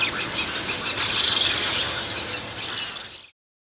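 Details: Three hungry Roseate Spoonbill chicks at a nest in North Florida beg for food with a steady, high, wheezy chatter, a rapid rattling hiss that runs unbroken for about three seconds before stopping abruptly.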